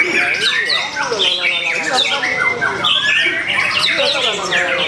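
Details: A long-tailed white-rumped shama at a bird singing contest pours out a rich, fast song of varied whistles and chattering phrases, with other birds and people's voices around it.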